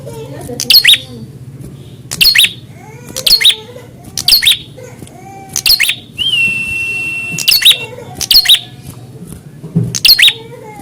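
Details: Prinia in a fighter test, calling in response to a rival: sharp, buzzy chip notes repeated about once a second, with a long steady whistled tone midway and a low hum behind.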